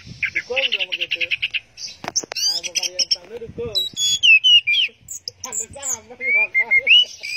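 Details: Orange-headed thrush in 'teler' song style: a varied run of rapid trilled notes, rich harmonic warbles, clicks and clear rising and falling whistles, phrases changing every second or so.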